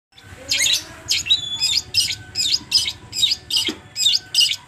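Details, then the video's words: Long-tailed shrike song, played to provoke a captive bird into singing: harsh, scratchy chattering bursts repeated about once every half second, loud and steady for nearly five seconds. "pancingan CENDET TROTOL agar bunyi ll cendet agar emosi buka paruh"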